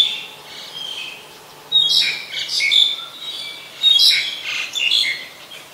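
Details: Black-collared starling in Ubon Ratchathani, Thailand, on 10 November 2021 gives loud, harsh, squeaky bursts with whistled notes in two main phrases about two seconds apart, over faint background chirping.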